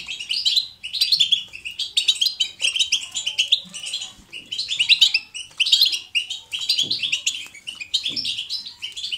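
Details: European goldfinch, a caged pet, singing a lively natural song: repeated bursts of fast, bright twittering phrases separated by short gaps, steady throughout.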